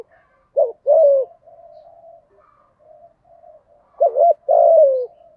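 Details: Spotted dove as a lure bird, thổ thúc gù style cooing meant to provoke wild doves: two phrases of a brief doubled note and a long descending coo, separated by a stretch of soft, low murmuring notes.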